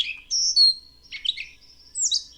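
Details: A Gray Catbird sings a jumbled run of varied phrases: squeaky whistles, chattery notes and a bright high flourish, each given once before it moves on to the next.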